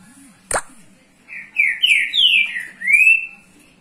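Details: Green-winged saltator in Rio de Janeiro, Brazil, warming up the young birds: a sharp click, then a flowing run of five loud whistled notes rising and falling, ending on a sustained rising whistle.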